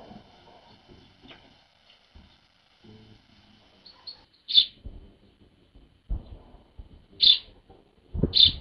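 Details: Early-rising tits visiting a feeder on winter mornings after cold nights; three loud, clipped high chirps spaced a couple of seconds apart stand out over quiet low thumps and rustling.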